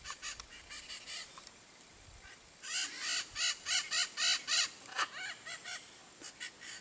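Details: Blue-and-yellow macaw in Brazilian Cerrado, a rapid run of harsh nasal squawks, about three per second, swelling into a loud sequence of eight then trailing off into quieter scattered calls.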